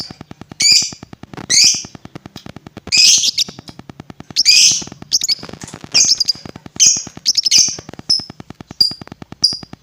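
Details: Lovebird sound used to provoke other lovebirds: a series of shrill, high squeaky chirps and short screeches, some trailing into thin whistles, scattered irregularly. A steady rapid ticking pulse runs underneath throughout.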